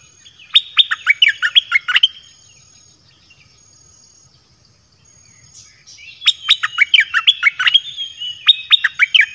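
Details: Song of a caged red-whiskered bulbul, a lure for wild birds, offering varied melodic phrases: a dense run of clear, bouncing whistles, a quiet pause of a few seconds, then a longer burst of repeated bright notes.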